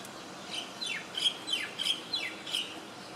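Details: Swiftlet-like bird chirping while preening in Singapore, 2017: about seven quick, high chirps sweeping downward, spaced roughly a third of a second apart, over a steady low background hiss.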